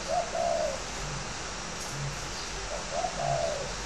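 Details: Spotted dove from a northern Vietnam bird farm in Ba Vì, Hanoi, kept as a fighting dove. Two cooing phrases, each a brief note followed by a longer falling coo, about three seconds apart, over low hum and hiss.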